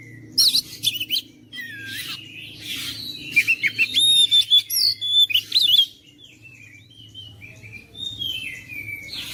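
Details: Oriental magpie-robin song meant to spur a quiet, lazy bird into constant singing: chirpy bursts, then a rapid string of loud whistled and slurred notes, and softer scattered notes afterward.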